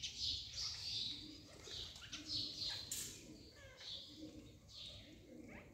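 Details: Wild parrots calling in the hills of Sariska: short, sharp, high chirps and screeches in scattered bursts, with lower cooing tones and faint voices underneath.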